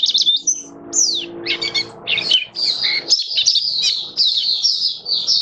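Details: Caged Oriental white-eye of the kitaro type singing high, rapid twitters and downward whistled slurs, settling into a continuous fast warble, with a faint low hum behind.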